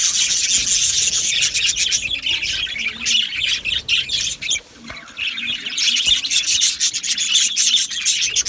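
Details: Many budgerigars in an Australian budgie aviary colony, 12 July 2025, chattering nonstop in a busy high-pitched mix of squawks and rapid chirps about four per second, dipping briefly near the middle.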